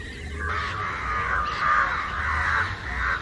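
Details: Crowd of house and jungle crows flying and cawing loudly against a hidden target; continuous rough caws blend into a loud, steady wall of calling.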